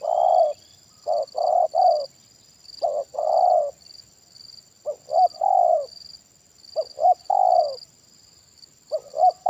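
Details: Spotted dove with a big voice and single 'kuk' ending, heard during a trapping session with a decoy bird: mellow low coos in grouped phrases, repeated several times, with a thin steady high tone in the background.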